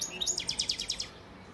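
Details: Goldfinch father bird from Antalya, Turkey, 2018, giving a short series of about eight sharp, evenly spaced high rattling notes, then falling silent.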